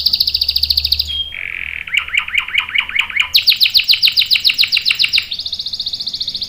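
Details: Canary in full song for training young birds: a fast high trill, a lower rolling series, then loud rapid repeated notes and a return to a high buzzy roll.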